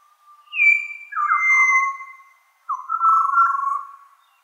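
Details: Pied butcherbird, an Australian bird, singing in the morning. Its pure, flute-like whistles slide gently downward and are held in long notes, in three phrases separated by short pauses on a quiet background.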